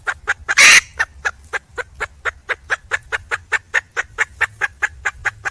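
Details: Wild junglefowl hen calling to attract a male, giving rapid clipped clucks in an even series of roughly four per second, with one harsh, loud squawk near the start.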